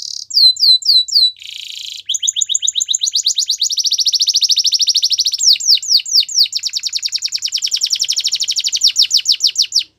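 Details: Canary singing for training, shifting through several motifs: swooping whistles, a short buzzy burst, a long rapid trill and fast repeated slurred notes, nearly continuous for ten seconds.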